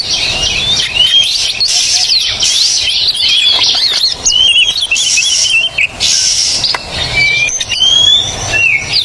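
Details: Oriental magpie-robin song used as a training recording for birds that have stopped singing: varied clear whistled phrases, rising and falling trills, broken by loud hissing noise bursts.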